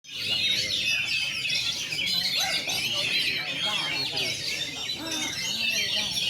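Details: Oriental magpie-robin on its first contest hanging, fluffing its feathers and singing in shooting and running styles; dense high twittering and whistled phrases from many birds overlap continuously.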